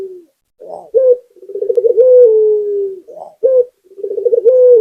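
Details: Two phrases from a vigorously singing local spotted dove, each a breathy lead-in, a short clipped coo, a fast throbbing tremolo and a long low coo that drifts downward. Nothing else is audible.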